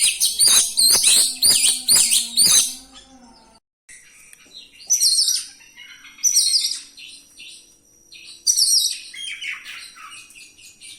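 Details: Oriental magpie-robin rolling song meant to provoke other magpie-robins: an opening run of about six rapid, evenly spaced harsh notes, a brief break, then three loud buzzy phrases spaced a couple of seconds apart.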